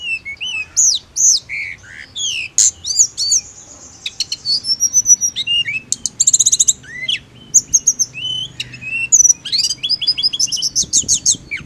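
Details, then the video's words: Mountain leafbird song used as therapy for a bird that only chirps ("ngirik"): a lively run of high, sharp chirps, whistled slurs and rapid trills, almost without pause, clear and bright with no other sounds. "TLEDEKAN GUNUNG HANYA NGIRIK"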